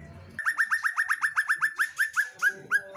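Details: Female white-rumped shama giving a steady series of bright, hooked whistled notes, about a dozen in quick succession, slowing slightly toward the end; quiet background.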